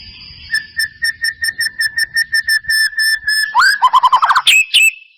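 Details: White-rumped shama lure for a reluctant singer: a steady series of identical short whistled notes repeated about four times a second, then a quick tumbling run of higher and lower trilled notes and two sharp upward whistles.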